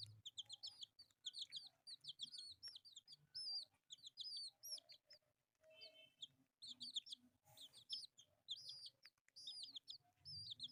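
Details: Several colourful pet chicks cheep loudly and continuously while playing. Their piercing high peeps come in quick clusters of downward-sweeping notes, with brief pauses. One lower, buzzier note appears midway, and light handling noises accompany them.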